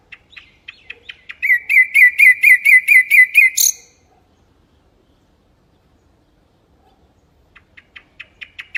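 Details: Mangrove whistler song: a few soft ticking notes, then about ten loud, evenly spaced whistled notes ending in a higher flourish; silence follows before quiet rapid ticks resume.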